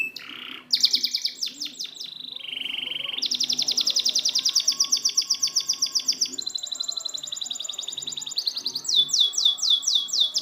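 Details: Canary training song for birds that have stopped singing: varied high trills changing pitch every few seconds, a long rapid pulsing roll, then quick descending notes repeated several times a second.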